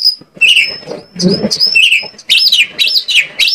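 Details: Oriental magpie-robin lure song, Indonesia, intended to make other magpie-robins sing: a few high whistles with falling slurs, then rapid repeated arched sweeping notes, over soft low background noise.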